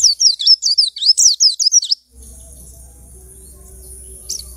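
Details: Caged white-eye picked from a crowded dealer's cage, singing freely after two weeks: two seconds of rapid, high, twittering chirps in quick succession, then a low steady hum with background noise.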